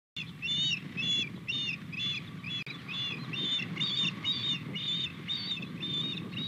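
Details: Male osprey flying in to deliver a fish to the female at a nest on 21 February 2020 around 08:07; loud, high, squeaky whistled chirps repeated about twice a second in a steady series, over low rumbling background noise.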